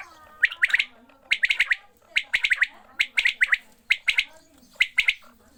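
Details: Quails at watering time call with rapid, bright chirps bunched in groups of three to five, bursts every second or so, steady throughout with faint background voices.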